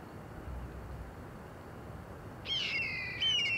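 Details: From a treetop, a Steller's jay gives a harsh, slightly descending grating call after a few seconds of quiet hiss, followed by a second short rasp.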